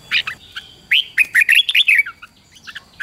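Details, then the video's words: Song of a red-whiskered bulbul, played to teach young birds: an opening note, then a fast, tumbling string of whistled, slurred notes that rise and drop, ending in softer chirps. "luyện cho chào mào bổi hót"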